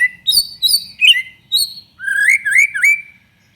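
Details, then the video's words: Lively 'gacor' song of a white-rumped shama, played to get pet shamas singing: quick high chirped notes in short bursts, then a run of loud, rich whistles rising and falling in a rolling phrase. "SUARA BURUNG MURAI BATU GACOR"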